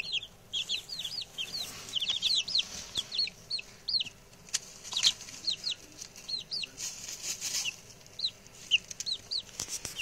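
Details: Six male chicks, just arrived and being reared, chatter with high down-slurred cheeps, dense at first, thinning later, interrupted by sharp clicks and a short rush of broadband noise.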